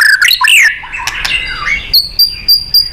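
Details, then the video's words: Short burst of white-rumped shama song from a training recording for contest birds: quick twisting whistles, then a few high, thin, evenly spaced piping notes. "Murai GACOR & NEMBAK ...FULL POWER & FIGHTER ‼️ Ampuh untuk MASTERAN BURUNG KONTES"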